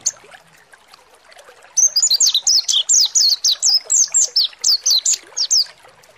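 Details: Mountain white-eye (pleci monty) song played as a lure to provoke singing: after a quiet start, a quick run of about fourteen sharp, high, twittering notes, each bending downward, for roughly four seconds.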